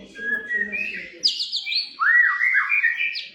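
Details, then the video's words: White-rumped shama of the Medan type, a lure recording meant to provoke other shamas into singing: clear whistled phrases, a low slurred note then high sweeping and rising whistles, strong and varied, with a faint low murmur early on. "masteran,pancingan burung murai batu"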